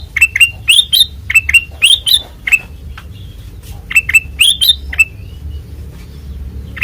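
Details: Kutilang emas with white eyes in ngeplong style: bursts of crisp chirps and rising slurs, a quiet gap in the middle, then a further burst, over a soft low hum.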